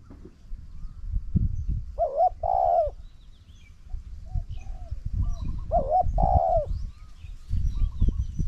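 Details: Spotted dove cooing in a decoy contest between a trained bird and a wild bird, outdoors: two low, mellow coo phrases, each a short note followed by a longer drawn-out coo. Steady rumbling background noise throughout.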